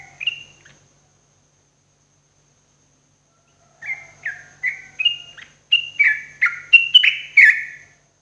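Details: Caged-bird therapy song of a yellow-vented bulbul in the morning: a brief opening phrase, a long silence, then a series of bubbly whistled notes rising and falling, growing louder toward the end.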